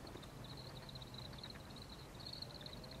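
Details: Grey-capped greenfinch recorded 16 January 2023, giving a thin, high, buzzy twitter that runs almost without a break, fading briefly near the end, over a steady low rumble of traffic.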